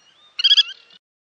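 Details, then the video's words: Black-tailed godwits on the Bug River: a brief burst of three or four rapid, nasal, harmonic-rich notes with a short trailing chatter, preceded by a faint, thin, even whistle; otherwise quiet. "Rycyki na Bugu"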